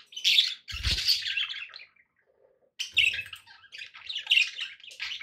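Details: Domestic budgerigars give loud, harsh, buzzy chattering phrases, then a silent gap of about a second, then more raspy warbling with squeaky chirps.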